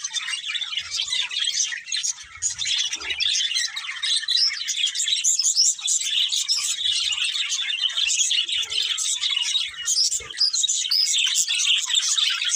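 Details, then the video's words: Budgies chirping as a pair: a long, unbroken run of high, rapid twittering and chattering warbles with scattered sharp squeaks. "Cute Budgies Chirping Sounds"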